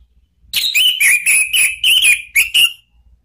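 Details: Orange-headed thrush lure call aimed at rival birds: a steady series of about eight loud whistled notes at a similar pitch, close together over two seconds.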